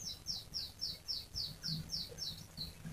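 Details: Vigorously singing canary giving a long rolling song, used as a lure to set other canaries singing: a faint run of quick high descending notes, about four per second, over a low steady hum.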